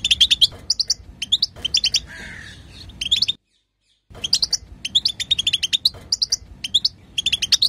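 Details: Female European goldfinch chatter meant to prompt a male to sing: rapid, bright twittering chirps in quick clusters, high and tinkling, broken by one abrupt silent gap, with a soft lower rasp in the middle.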